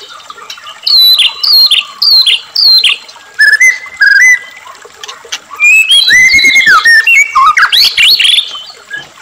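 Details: Murai batu, or white-rumped shama, in full song, meant to stir captive shamas to sing: loud, clipped whistled phrases repeated about every half second, then a rich burst of rising and falling warbles.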